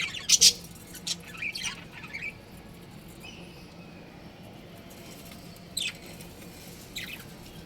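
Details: Budgerigar breeding pair, pet birds, giving a few short, sharp high chirps near the start, then quiet stretches broken by two more brief chirps later. Low steady background hum throughout.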